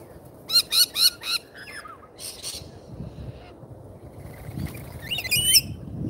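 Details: Lorikeets at a feeder in Australia give four quick harsh, nasal screeches in a row, a couple of softer squawks, then faint chatter and rustling.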